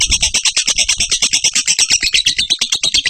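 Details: Lovebird in continuous ngekek chatter, loud grating notes pulsing evenly about three times a second, high and rasping throughout.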